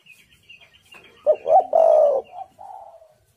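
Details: Spotted dove calling as a lure for wild birds: faint high chirping at first, then one loud phrase of a quick note, a rising coo and a long falling coo, ending in two softer trailing coos.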